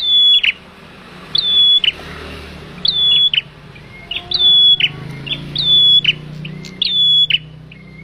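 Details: Trapping lure of a male bar-winged prinia: short bright whistled phrases, each a flat high tone ending in an abrupt chip, repeat at a steady pace over a murky low background rumble.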